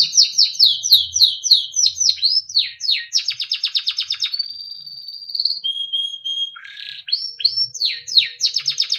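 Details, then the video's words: Timbrado canary, a small yellow bird, singing melodic training phrases: fast descending chirps, a dense rattling trill, a long level whistle, a lower steady tone, then renewed quick sweeps and trills. "Small yellow bird sound - Timbrado canary singing beautiful melodic songs for training"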